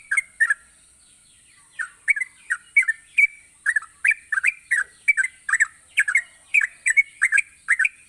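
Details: Gacor song of a yellow-vented bulbul, meant to coax reluctant bulbuls into singing. A couple of chirps and a pause lead to a lively string of short, liquid, up-and-down notes, all over a constant thin high-pitched hum.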